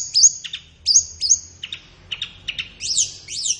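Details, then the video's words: Short burst of flowerpecker song for training caged birds in morning or afternoon: high sharp whistled notes with downward flicks, a few lower chips, ending in two squeaky rising-falling phrases. "SUARA BURUNG - Masteran Terbaik Tledekan"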